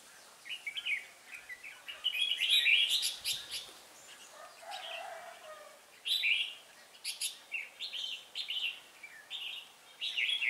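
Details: Red-whiskered bulbul decoy in a trapping session at Hoa Binh, Vietnam, 18 December 2016; repeated bright warbled phrases throughout, mixed with sharp clicks and rustling, plus a lower soft call midway.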